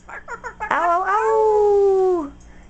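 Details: A pet parrot named Kiwi, a male, asked "what's a coyote", gives four quick yelping notes, then a long, steady howl that sags at the end, a convincing coyote imitation.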